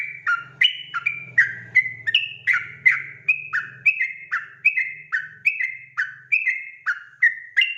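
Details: Fast 'ropel' song of a sooty-headed bulbul, played as a lure so other birds respond at once; lively whistled notes alternating high and low about three per second, over a faint low rumble for the first half.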